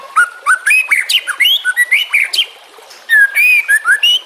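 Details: White-rumped shama song used as a training tutor for other shamas, with trickling water. Rich clear whistles rise and fall in quick phrases, with upward sweeps and short bright notes. A pause comes near the end before more whistled phrases.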